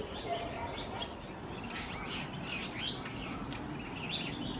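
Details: Jerdon's bush lark (Plocealauda affinis) singing in Kerala, India: a continuous jumble of quick, scratchy chirps and short slurred notes, with a thin, steady high whine and soft background noise throughout.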